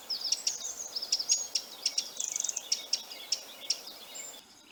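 A wren's alarm call: harsh, sharp ticking notes about three a second, broken midway by a quick machine-gun rattle, over a faint background hiss.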